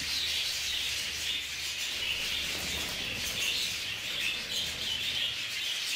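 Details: Communally kept budgerigars during a fight in their aviary, a constant bright chatter of chirps and short whistles, with faint wing flutters and low hum.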